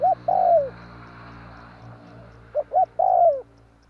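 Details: Spotted dove lure call for trapping: a clipped coo and a long descending coo, a pause with soft background noise, then two short notes leading into another drawn-out falling coo.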